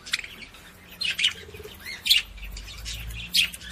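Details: Budgerigar song for stimulating females to mate: sharp high chirps in separate bursts about a second apart, with faint warbling chatter in between.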